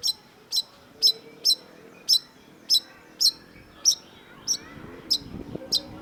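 Long-tailed Shrike giving sharp, harsh, high notes, about one every half second, with a faint low rumble in the background near the end.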